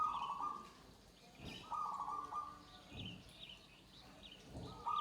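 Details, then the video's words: Zebra dove (perkutut joglo) cooing in level, tonal phrases every second or so, while small birds chirp rapidly in the background and occasional thumps sound nearby. "suara perkutut joglo"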